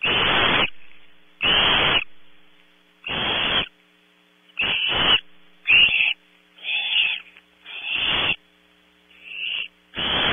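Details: Nestling barn owls at Audubon Starr Ranch, California, squabble over a 3 a.m. prey delivery. Rasping hisses of uneven length come in an irregular series, some short and clipped, some broken, over a low hum.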